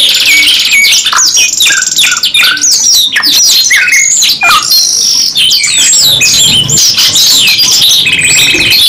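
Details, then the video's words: Energetic canary song in long bursts, known as gacor nembak panjang: rapid chirps and slurred whistles alternate with rolling buzzy trills, loud and close, running almost without a break. "KENARI 2 IN 1 GACOR NEMBAK PANJANG | CANARY SINGING"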